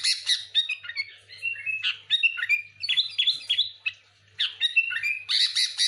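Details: Excited, almost continuous sooty-headed bulbul chattering, used as a lure, mixing harsh squawky notes with quick warbled whistles and a brief silent pause near the end.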